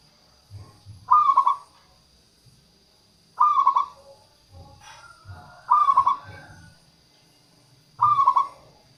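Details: Local zebra dove singing to lure wild doves and stir reluctant singers: four rolling, tremulous coo phrases at fairly even intervals of about two and a half seconds, with soft low hoots between them.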